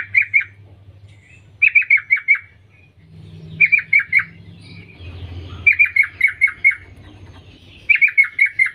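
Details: Female sooty-headed bulbul calling for males: short bursts of three to five sharp, downslurred chirps repeated roughly every two seconds, five bursts in all, with a quiet low background hum.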